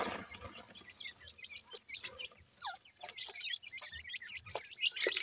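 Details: Grey francolin chicks of the Sindhi type during feeding, giving a busy chorus of brief high chirps and little upslurred peeps, several per second, over sharp clicks and scratching sounds.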